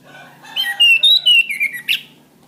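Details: Song of an orange-headed thrush, used for training cage birds. Sweet, flowing whistles glide gently downward through several connected notes before a brief sharp chirp finishes the phrase.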